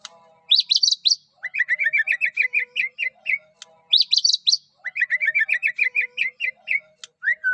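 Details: Unique song of a Medan white-rumped shama, used to make other shamas sing: a high trilled burst followed by a long string of rapid, evenly repeated whistled notes, the whole phrase given twice.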